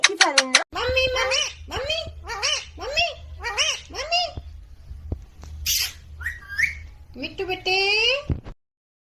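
An Alexandrine parakeet talks in a quick string of short, nasal, word-like phrases with rising and falling pitch, ending in a harsh screech and a higher mimicked phrase.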